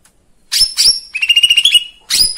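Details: Lesser green leafbird song used to provoke other birds into singing: two sharp, high whistled notes, then a rapid buzzy trill of quick pulses, ending with another bright whistled burst.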